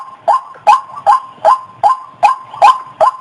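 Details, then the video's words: White-breasted waterhen, used as a lure for the opposite sex: about eight harsh, croaking notes repeated steadily, each a short burst with a clicky top, roughly two to three per second. "suara!! burung ruak ruak"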